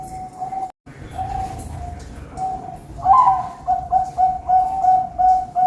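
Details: Zebra dove from a bird farm in Pamekasan, Madura, kept for song contests: mellow, steady cooing notes, first drawn out, then breaking into a rhythmic series of short, pulsed coos about twice a second, over a soft background hum.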